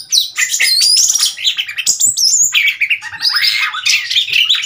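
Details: Oriental magpie-robin, a wild bird visiting a cage in Thailand on 15 February 2021, gives a dense, harsh and squawky jumble of scratchy notes mixed with thin whistles.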